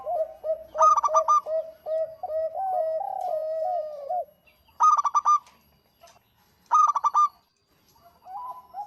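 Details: Local zebra dove in lively song for luring: a long string of low wavering coos, then three loud staccato bursts of rapid ringing notes with silent gaps between them.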